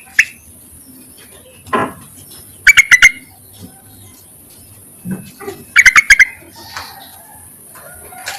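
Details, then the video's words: Yellow-vented bulbul call to attract males, used as a lure: two quick clusters of four sharp, ringing notes about three seconds apart, with faint scattered chirps and noises between. "BURUNG TERUCUKAN MEMANGGIL JANTAN COCOK JUGA UNTUK PIKATAN"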